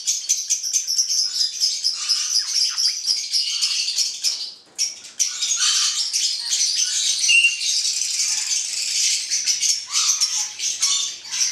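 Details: Black-headed parrot pair (Caique melanocephala) keeping up shrill, buzzy chattering squawks almost nonstop, with one short pause midway and scattered sharper notes.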